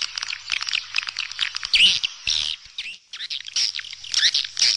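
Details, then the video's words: High, rapid swallow twittering, mixing squeaky rising and falling chirps in a busy flock, with one brief pause near the middle. "เสียงนกนางแอ่น Swallow Sound"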